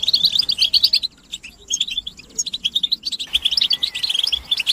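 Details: European goldfinches chattering together, mating and readiness calls meant to rouse silent males into song: rapid bright twitters, thinning to sparse scattered notes in the middle, then a dense burst of chirping resumes.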